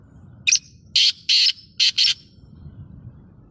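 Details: Black francolin delivering a full phrase of five harsh, rasping notes in a quick stuttering rhythm over about one and a half seconds, loud against a quiet background.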